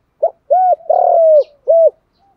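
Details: Spotted dove in contest cooing, Thổ pha đồng voice: a short clipped note, a rounded coo, a long grating vibrato note gliding down, then a final rounded coo.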